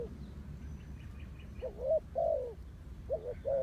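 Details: Spotted dove decoy calling to lure wild doves. Faint twittering comes first, then two loud paired coos, each a rising note and then a drawn-out descending croo.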